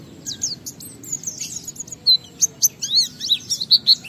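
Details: Oriental white-eye in ngalas style, a lure to get other white-eyes singing: soft, high, thin twittering at first, then clearer sharp chirps repeated about once per third of a second.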